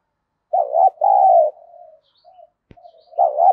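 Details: Decoy spotted dove kept to provoke rival birds, giving loud, low, husky coo phrases in two bursts, a quieter trailing note, then another loud burst after a short pause and a click.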